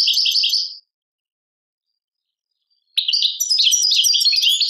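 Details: Algerian European goldfinch performing Tadmait-style song. A rapid tinkling trill is followed by two seconds of silence, then a long, jumbled, energetic run of high chirps, twitters and buzzy notes.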